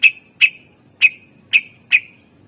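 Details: Greater green leafbird song used to lure other birds: five loud, sharp whistled notes spaced about half a second apart, each ending in a short ringing tail.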